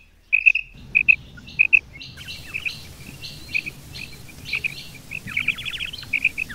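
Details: Female and male quail calling together: sharp paired high notes repeated in quick bursts, with a few rasping chattering notes later as a faint hiss of background noise rises.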